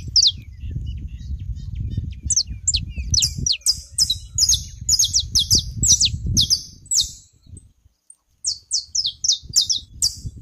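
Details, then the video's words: Saffron finch (canário-da-terra) singing on a rural smallholding in Brazil: rapid series of high, sharp chirps and trilled notes, uneven in rhythm, with a short pause near the end; low rumbling background noise throughout. "canário da terra na minha roça"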